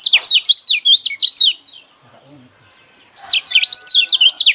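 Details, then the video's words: Yellow white-eye song played to goad caged white-eyes into singing: fast, high, zigzagging twitters in a dense burst, a pause of about a second, then another loud rapid burst. "burung pleci kecial kuning mana yang nggak kepancing emosinya dengan suara seperti ini"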